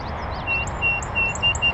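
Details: A North American song sparrow sings from a bush on a northern USA oak savanna beside a beaver pond: a short run of thin, clear, mid-high notes, about three a second, with fainter chirps above and a steady windy rumble.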